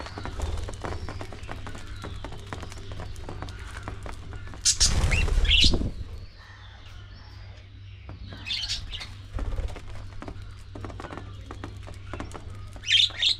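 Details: Budgerigars in a colony-breeding aviary chatter with short, scratchy chirps and warbles, joined by bursts of wing flapping.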